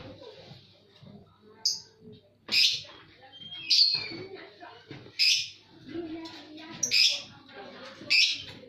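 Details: Birds singing: short, sharp high-pitched chirps in bursts at irregular intervals of about one to two seconds, over a low murmur of background sound.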